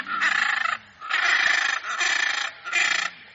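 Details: Repeated coarse squawks from a hyacinth macaw, four rasping bursts of varying length following one another with brief gaps, each harsh and throaty.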